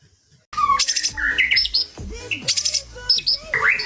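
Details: White-rumped shama song packed with rapid, varied notes: sharp chips, short whistles and harsh high bursts follow one another without pause after a brief quiet start.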